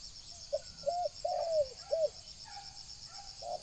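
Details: Decoy spotted dove calling to entice wild doves: a short series of rounded coos building to a longer descending hum, then fading. A high, even insect whine is heard behind the calls.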